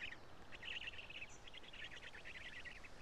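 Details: Young black storks in the nest at Karula on 3 June 2017, fed by their father: a continuous run of harsh, scratchy staccato notes, rapidly repeated, against a constant noise floor.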